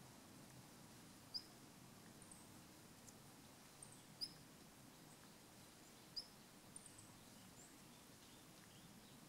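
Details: A male long-tailed rosefinch gives its call: faint, very short high pips, single notes every two seconds or so, over a low steady rumble. Recorded 29 December 2013 in Japan, with the bird close by.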